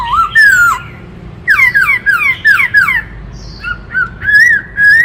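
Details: Loud song of a black-throated laughingthrush: rich whistled slurs, a cascade of descending whistled notes, then longer wavering, rising whistles, all close and clear.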